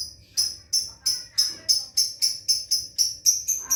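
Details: A lovebird learning the ngekek chatter utters a brisk series of about a dozen piercing chirps that quicken slightly toward the end, with a soft hum underneath.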